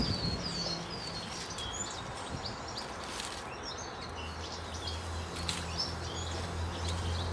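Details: Lesser redpolls (Acanthis cabaret), at least two uncommon visitors at garden feeders in West Wellow, Hampshire, calling with thin, high twittering chips scattered quickly through the clip, over a low engine-like drone that swells later.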